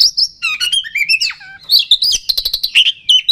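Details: Oriental magpie-robin song used as a lure to quickly rouse a kacer's fighting mood: rapid varied whistles and sliding notes, then a burst of sharp repeated chips and high trills.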